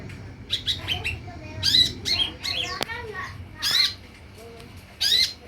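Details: Sunbird lure sound to draw a response: clusters of scratchy high chirps and buzzy squawks, some quick doubled notes, a sharp click, and soft lower whistled notes between bursts.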